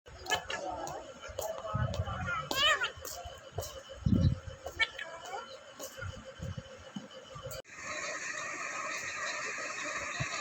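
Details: A pet rose-ringed (ring-necked) talking parrot in Vehari, Punjab, Pakistan, talks in short speech-like phrases with a few sharp rising squeaks; partway through, a steady hiss takes over.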